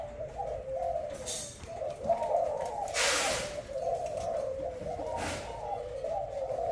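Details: Thai-type caged spotted dove, white heart and black spotted collar, delivering a loud booming coo. Repeated low rolling notes swell and fall, broken by a few brief rustling noises.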